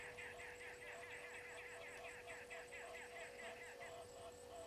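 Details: Natal spurfowl at Gowrie dam waterhole on Djuma Game Reserve, Sabi Sand Wildtuin, South Africa, caught by a live waterhole camera at 18:08: harsh, rasping cackles in a fast rhythmic series, about two or three bursts a second, over a steady low electrical hum.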